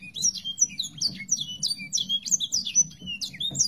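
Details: Sanger songbird tutor recording for training other songbirds to copy: dense, rapid high chirps and sweeping whistled notes, many overlapping, continuous through the stretch, with a low steady hum beneath.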